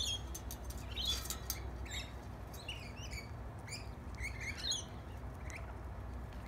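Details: Lorikeets feeding on bread, tame visitors: a steady run of sharp, high screechy chirps from several birds, irregular and overlapping, over a low background hum.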